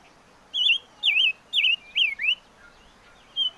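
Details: Five-coloured bird (chim ngũ sắc) giving loud whistled song: five quick wavy, trilled slurs in close succession, the later ones sliding downward then up, followed by a pause and one softer closing note.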